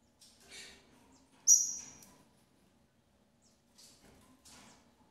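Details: Captive-bred double-collared seedeater, a female feeding her nestlings: soft high twitters, then one strong, piercing whistle drawn out and slightly descending, and later faint scratchy chirps.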